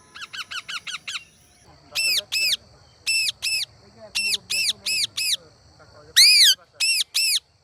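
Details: Indian Ringneck parrot calling: a quick run of thin repeated notes, then loud harsh screeches in pairs and triplets separated by short gaps, one extra-loud shriek near the end.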